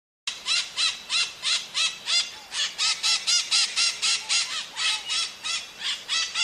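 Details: Wild maritaca parakeet in nature: harsh, buzzy squawks repeated steadily about four times a second for the whole stretch, each note rich and grating, with a quiet natural background.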